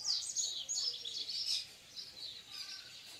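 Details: Wild male yellow-bellied seedeater singing to its female, eager to nest; a rapid run of high, thin chirping notes, twittered phrases flowing one into the next, loud at the start and fading, with faint background hiss.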